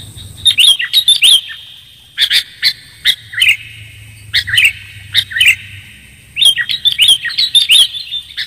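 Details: Sooty-headed bulbul lure recording: clusters of sharp, high chirps and short twittering phrases separated by pauses of one to two seconds, with a faint low hum beneath.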